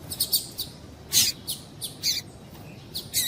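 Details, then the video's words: Calls of a female double-collared seedeater, used to stir males to sing: a rapid, uneven series of thin, high tweeting chips, several per second, with a soft hiss behind. "Piado de Fêmea de Papa capim Para Esquentar Papa capim"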